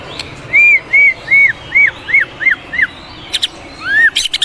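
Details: White-rumped shama singing a run of seven clear, arched whistled notes at a steady pace, followed by sharp clicks and one final rising-then-falling whistle.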